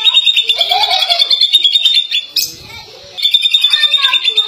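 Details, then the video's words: A Greater Green Leafbird from Indonesia sings a fast, high, chattering warble of varied twittering phrases, broken once by a brief rustling noise before the song resumes. "The Greater Green Leafbird"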